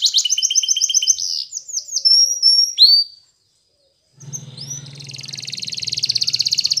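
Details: Spanish Timbrado canary, a yellow bird, sings fast pulsed trills and sliding whistled notes, falls silent for about a second, then resumes with a long, even, buzzy rattling roll over a low hum.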